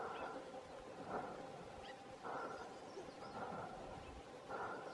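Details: Rare Cheer pheasant at Cheerbatia, Uttarakhand, India, on 2 March 2021, giving a series of low, hoarse, hooting call notes, about one a second, over a steady noisy background.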